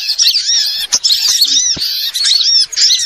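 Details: Small birds calling together as a lure for catching birds: shrill, steady twittering with quick rising and falling chirps overlapping, with a couple of short gaps.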